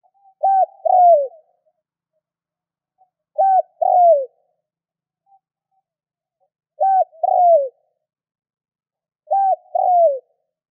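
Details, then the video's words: Spotted dove, a lure bird whose call is used to stimulate other doves to call; two-part coo, a short clipped note then a longer falling one, repeated four times about every three seconds, clean silent background. "Tiếng cu gáy kích bổi nhanh gáy hiệu quả"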